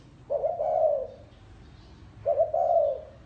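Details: Spotted dove in the gáy gù cooing style: two phrases, each a short note followed by a longer, smooth, descending coo.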